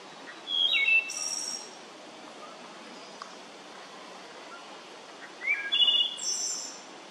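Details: Wood thrush (Hylocichla mustelina), song.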